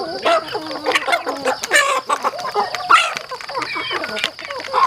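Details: Chickens on a rural home farm clucking busily, short ringing harmonic notes repeated in quick irregular bursts from several birds, some louder peaks, with a faint steady whine behind.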